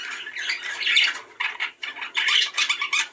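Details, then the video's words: Indoor budgerigars chatter in fast, scratchy warbles and squawks, bursts of bright trilling broken by short pauses, in a recording meant to stimulate budgies to breed. "صوت تحفيزى لتزاوج طيور البادجى"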